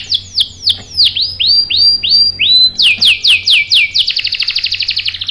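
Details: Canary lure song to provoke answering rolls: loud downslurred whistles repeated about three times a second, shifting into a rapid rattling roll at the end.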